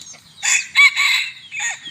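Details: Brief bantam chicken crow, recorded on a hot evening in Bueng Kan, Thailand: a harsh, broken series of three or four strained bursts with a slight rise, then fading.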